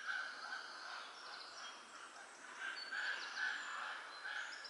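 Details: Four hungry Common Raven nestlings, about three weeks old, beg together in the nest in a harsh, raspy chorus of rough, overlapping squawks two or three a second; April, Göttingen region, Germany.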